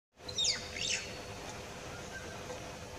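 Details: Common hill myna (Gracula religiosa) calling: two loud, sharp, high, piercing whistled notes in quick succession, followed by steady soft background hiss.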